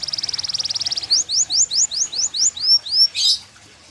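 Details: Yellow canary, a fighter-type singer, giving a fast high trill, then a slower series of rising, arched whistled notes, ending with a brief harsh burst.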